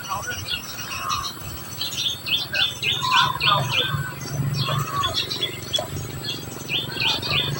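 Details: Society finch feeding its young: high, short chirps come in rapid irregular bursts of about three per second, with a steady low hum underneath.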